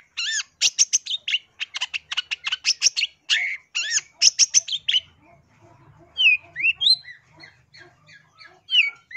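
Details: Long-tailed shrike song used as a lure for trapping wild birds: a rapid, varied medley of sharp chirps, buzzy notes and clear downslurred whistles in dense bursts, then scattered rising whistled notes, with a faint low hum.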